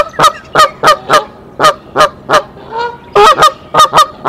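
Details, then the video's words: A mother goose at her nest with eggs sounds the alarm on 27 March 2023 with loud, nasal honks, about three per second, with a brief pause and a lower honk midway; the father goose then comes to the nest. "Mother Goose sounds the alarm"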